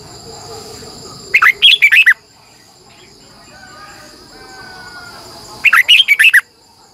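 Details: Red-whiskered bulbul lure bird singing in the morning in the long double-twisting style, meant to call wild birds and train others: two bright, warbled phrases of five or six quick rising-falling notes, separated by a pause, over a steady high whine.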